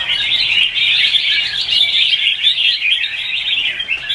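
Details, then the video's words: Several red-whiskered bulbuls singing competitively in the morning, a lure recording for training birds: unbroken, busy chattering of high, bright chirps and quick warbled notes layered together throughout. "Chào mào Luyện hót đấu mỗi sáng 30'"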